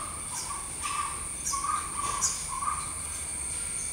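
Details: A Jungle Owlet eating a big insect it caught gives soft, hoarse mid-pitched notes, about two a second, unevenly spaced, over a steady high insect buzz.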